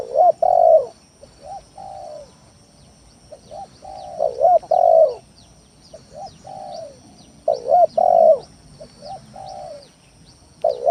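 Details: Lure song of spotted dove for provoking rival birds into calling, a steady run of low cooing phrases, each a strong doubled coo and fainter falling notes, with faint high chirps in the background.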